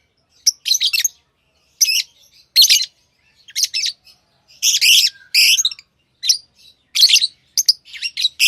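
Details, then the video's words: Tame lovebirds kept as pets give loud, shrill chattering chirps in clustered bursts, some doubled, with short quiet gaps between them and nothing else audible. "Love birds Sounds | lovebirds chirping sounds"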